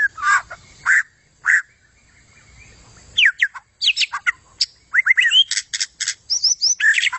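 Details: White-rumped shama singing energetically: loud clear notes, a pause, then a rapid run of sharp rising and falling whistles and chattering bursts reaching high pitch.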